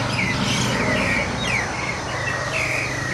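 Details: Jalak nias starlings in a tense group fight, giving clear whistled notes that slide downward, repeated several times a second, with a low droning hum beneath.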